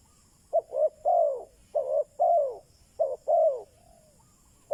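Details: Lure spotted dove calling to attract wild doves, delivering three rapid cooing phrases of two brief notes and a long falling note, with a faint softer coo and the start of another phrase at the end.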